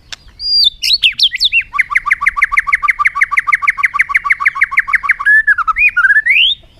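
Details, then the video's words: Energetic bird song: a few high slurred whistles, then a long fast trill of repeated two-part rising notes, roughly six per second, finishing with looping upward whistles. "suab noog quaj zoo heev"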